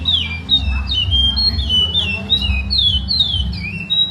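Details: Traditional Maceió song of a lined seedeater: bright, sliding whistled notes dropping in pitch, strung together rapidly, heard over a steady low background drone.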